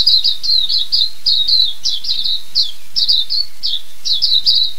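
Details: New Zealand silvereye, also known as waxeye, giving a sustained high, fast warbling song of short slurred chirps strung together in loose phrases, loud and clear throughout.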